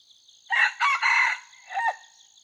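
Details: F2 red junglefowl in training, dated 5/9/2020: a strident crow of three joined bursts followed by a shorter, falling closing note, with crickets buzzing continuously in the background.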